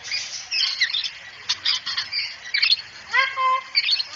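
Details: Cockatoo that talks, saying "assalamualaikum": bursts of harsh, scratchy squawking chatter, ending with a short rising nasal harmonic call that holds level.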